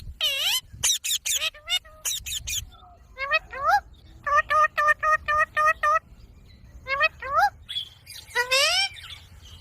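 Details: An Indian ringneck parakeet, a pet talking parrot, talks in high, nasal, word-like bursts with swooping pitch, breaking midway into a fast run of even, clipped notes about four per second.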